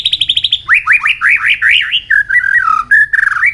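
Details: White-rumped shama singing competitively with tail flicks: a quick high trill, a series of rising whistled slurs, then lower fluty warbled notes, loud and varied.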